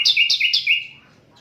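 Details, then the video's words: Asian brown flycatcher giving three quick repeated chirped notes, each a high flick dropping onto a slightly lower tone, recorded without edits as tutor material for songbirds. "Sikatan londo durasi 15 menit, Reall No editan, cocok buat masteran semua burung"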